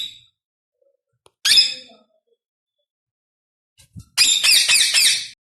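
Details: Rose-ringed parakeet letting out one harsh screech, then after a quiet spell a fast burst of about six grating squawks in quick succession.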